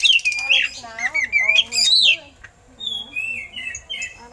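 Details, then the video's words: Oriental magpie-robin singing eagle-call imitations for use in training other birds; loud descending slurred whistles and harsh notes at the start, followed by softer, thinner whistled phrases. "Suara Burung Kacer Isian Elang"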